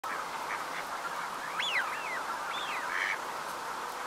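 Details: Eurasian wigeon at Uitkerkse Polder, Belgium, in January 2017: three or four clear rising-then-falling whistles in the middle, set over a steady murmur of many more birds.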